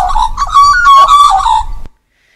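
An Australian magpie gives a rich, fluty warble of gliding notes that rise and fall for under two seconds, then stops; a faint room echo follows.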